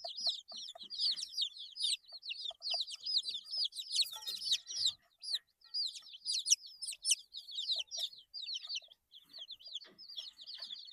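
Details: Group of 8-day-old baby chickens chirping continuously: dense, overlapping high-pitched peeps, many short rising and falling cheeps packed together throughout, with a brief burst of scratchy knocking near the middle.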